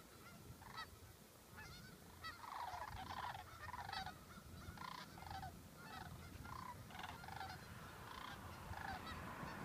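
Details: Sandhill cranes near Waite Park, Minnesota, August 2014, utter trilled, rattling calls in quick succession, some overlapping, against a steady low background rumble.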